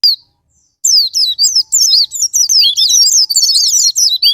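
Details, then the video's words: Japanese white-eye, played as a lure to provoke singing in other birds: after a brief high note and a pause, a rapid run of very high, thin twittering notes, sweeping up and down in quick chattering bursts. "Pancingan Super Gila Sparing Patner,ampuh buat pancingan Semua jenis burung pleci pemicu andernalin"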